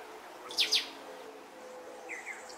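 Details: Young purple-collared oasis hummingbird whose purple feathers are just beginning to grow. It gives a pair of sharp, high chirps close together, then two fainter, thin downslurred notes. Faint background music runs underneath.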